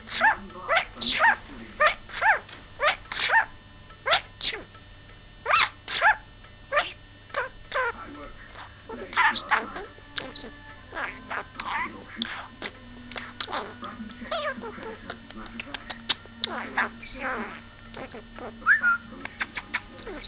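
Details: A talking pet budgerigar chatters in quick bursts, mimicking speech and bark-like sounds; it is said to say pardon when it burps, meow, say woof woof and have sneezing fits.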